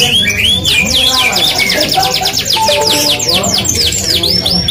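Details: Canary of the F1 type in full, energetic song: dense rolling trills of quick high downward sweeps, shifting in speed and pitch, with faint low rumbling and murmur underneath.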